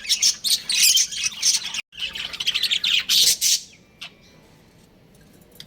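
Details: Caged budgerigars of a breeding pair twittering in quick, harsh chirp bursts for under four seconds, with a short gap after two seconds, then one faint note before near silence.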